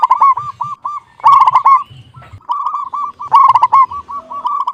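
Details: Local zebra dove with a clear voice, singing loud bursts of rapid, rolling cooing notes. Each burst is followed by softer, fast stuttering coos, and the pattern repeats about every two seconds.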